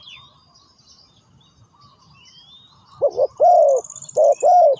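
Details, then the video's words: After a quiet start with faint distant chirps, a spotted dove gives two loud coo phrases. Each is a short double note followed by a longer sustained coo. "Sound Of Spotted Dove"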